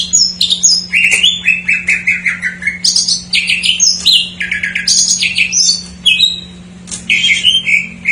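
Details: Greater green leafbird with an isian song stuffed with jamtrok phrases, used to rouse untrained or stalled birds; a varied run of clear whistled notes stepping up and down in pitch, over a constant low hum.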